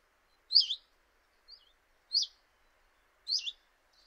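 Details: Common chiffchaff at a kitchen window in Eibar, early March 2018: loud, sweet, downward-slurred notes, three strong ones and one faint, spaced about a second apart, in an otherwise quiet background.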